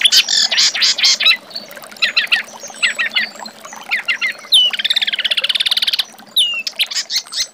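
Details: Reed warbler song used as master song for training magpie-robins: loud scratchy note groups, scattered thin whistles and a long rapid rattling trill near the middle.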